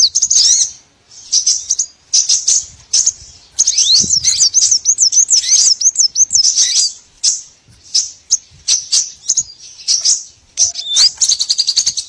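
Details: Small birds calling on a lure for trapping all kinds of small birds: long stretches of high, busy twittering with looping whistled notes, broken by short pauses.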